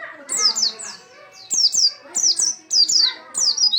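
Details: Oriental white-eye in lively song: rapid bursts of high, thin, descending whistled notes, grouped in short phrases of three or four, about five bursts in four seconds, with faint low chatter underneath.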